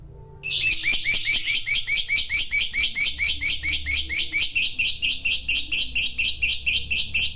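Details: Fighter lovebird's long 'ngekek panjang' trill used to provoke a rival into trilling: after a moment's quiet, a loud, sustained, rasping chatter of rapid repeated notes, over two per second, continuing steadily for about seven seconds.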